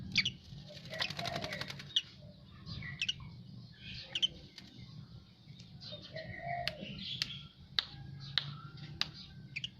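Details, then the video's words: Song of an Asian pied starling fresh from a bath: scattered clicks, short squeaks and thin whistles, with one drawn-out falling whistle midway and sharp ticking notes throughout, over a constant low hum. "Jalak uren habis mandi"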